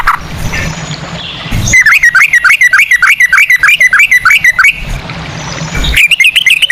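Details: Yellow-vented bulbul (trucukan), a lure recording to get other bulbuls singing, in the rapid 'ropel' style with cucak rowo phrasing: after a rough noisy start, a fast run of about fourteen bright rising notes, a short break, then the run starts again.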